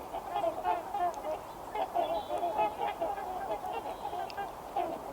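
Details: A flock of trumpeter swans in the Fraser River Valley in January calls steadily, with overlapping deep, horn-like honks in an unbroken chorus. A person may be speaking faintly underneath.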